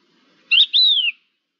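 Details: A Thekla's lark, recorded 5 February 2022, gives a short, clear whistled phrase: a brief high note, then a longer fluty note that rises slightly and falls away. No other sounds.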